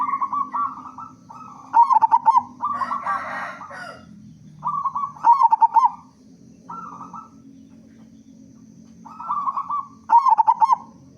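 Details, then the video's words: Lure song of a loud-voiced local zebra dove: repeated phrases of short hummed notes ending in rapid pulsing coos, several rounds in succession, with a brief rustling burst early on and a low background drone. "Perkutut Lokal Gacor Suara Besar Pancingan Burung Perkutut Agar Cepat Bunyi"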